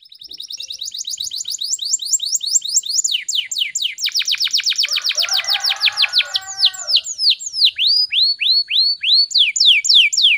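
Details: Canary singing in the fast, tightly packed gacor speed rapat style, used as a lure and tutor recording: rapid down-swept notes speed up into a buzzy roll with a softer low warble beneath, then slow into drawn-out upswept whistles.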